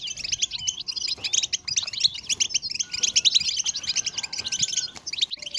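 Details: European goldfinch singing without pause, part of a recording billed as a strong motivational song for goldfinches: dense, rapid twittering of high tinkling notes and short trills, continuous throughout, with faint background clicks.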